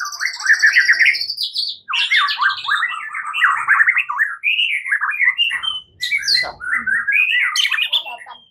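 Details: Morning fighting-style song of a white-rumped shama, used as a lure: a continuous, rich warble of varied whistles that slide up and down, with scratchy high notes mixed in and almost no break.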